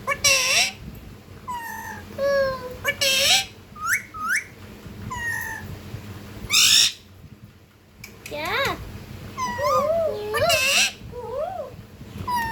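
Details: Ringneck parakeet, a talking pet, alternates loud harsh screeches with wavering, speech-like tonal syllables over several seconds, with a short quiet gap midway.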